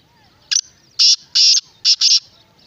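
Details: Black francolin (kala teetar) calling: a loud, harsh, grating phrase of five clipped notes, a short first note followed by two longer buzzy notes and a final quick pair, over a quiet background.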